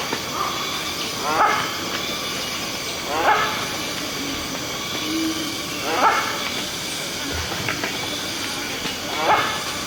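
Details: Indian grey hornbill calling in Delhi, repeated piercing squeals every two to three seconds, each with layered harmonics, set against constant hissing city noise.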